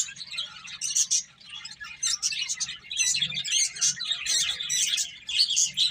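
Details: Finches eating and playing chirp in quick, high, ticking bursts separated by brief lulls, several birds overlapping, a low hum underneath.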